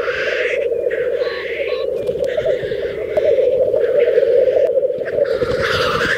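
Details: Black grouse lekging in a mating display in Teesdale, North Pennines, UK: a steady, low, dove-like bubbling chorus runs throughout, broken by harsh hissing sneezes from the males.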